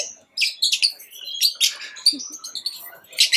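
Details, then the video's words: Pet lovebirds chirping: sharp, high, scratchy chirps in bursts with short gaps, some squeaky whistled notes between, busy and irregular throughout. "Love birds chirping sound"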